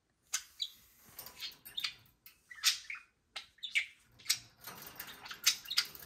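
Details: Two pet budgerigars full of energy on a Friday morning, bouncing about indoors; sharp, scratchy chirps and clicks come in quick irregular bursts, some notes harsh and broadband, with brief pauses between clusters.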